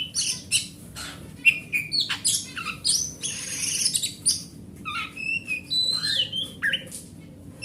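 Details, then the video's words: Oriental magpie-robin (kacer hutan) singing to lure other magpie-robins that have stopped singing; harsh rasping bursts alternate with short clear whistles and upward slurs, pauses between phrases, low steady hum. "Suara Master Burung Kacer"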